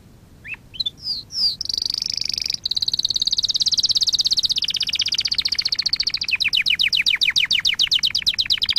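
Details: Canary song for training canaries: a few opening slurs lead into a long, dense high trill that slows into rhythmic falling notes repeated several times a second.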